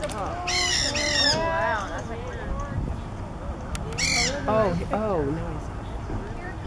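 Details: Nanday parakeet eating Australian pine fruit at Turtle Beach gives two bursts of harsh, grating screeches, with softer chattering notes in between and a person speaking quietly underneath.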